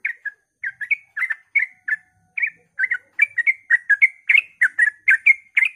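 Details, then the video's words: Sooty-headed bulbul at dawn giving its fast 'ropel' song to stir other bulbuls to sing; a few spaced chirps build into a steady, quick series of slurred whistled notes. "suara trucukan ropel pagi subuh AMPUH memancing trucuk agar ikut gacor"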